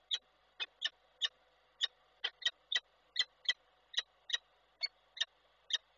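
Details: In Koszalin, Poland, on 12 December 2023, a male peregrine falcon calls for his mate on a live nest camera: a steady run of about twenty clipped, harsh chips, roughly three per second, sometimes in quick pairs.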